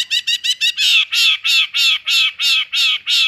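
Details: Long-tailed shrike, cendet, singing in full material style: four quick harsh notes, then a regular series of longer, loud, rasping high calls about every quarter second.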